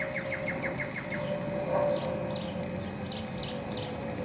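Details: Northern cardinal singing in spring 2014: a quick run of evenly spaced, down-slurred whistled notes, then scattered higher slurred notes from other birds, over a steady low hum.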